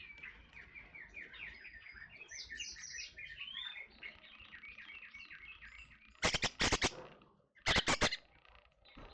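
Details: Forest oriole, called kepodang hutan, used as a lure recording for cage birds; a busy run of chirpy, warbling notes for six seconds, then loud broadband bursts of noise near the end.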